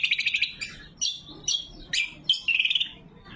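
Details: Loud, clear lesser green leafbird song used as lure and training material: a quick stuttering series of high chirps, then separate sharp whistled notes, ending in a short rapid trill.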